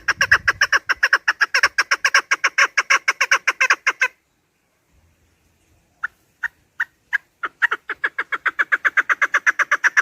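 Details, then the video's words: Chukar partridge calls recorded for partridge hunting: a long run of rapid, evenly spaced clucking notes, a pause of about two seconds, then scattered single clucks that speed up again into a steady chattering series. "Овози кабк кеклик калик пение каклик мастак модкабк"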